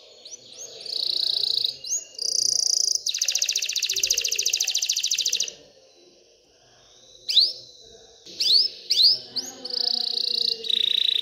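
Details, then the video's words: Excited canary singing to encourage females to mate and nest: sweeping whistles and sustained buzzy notes, a loud rapid rattle-like trill, a pause, then scattered rising whistles and more buzzy phrases. "تغريد كناري هائج لتحفيز الاناث على التزاوح وبناء العش"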